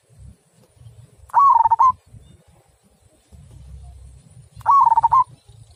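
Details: Zebra dove of the local perkutut type, singing in the deep, clear 'kung' style: two brief phrases of rapid, throbbing coos about three seconds apart, with soft low background rumble between.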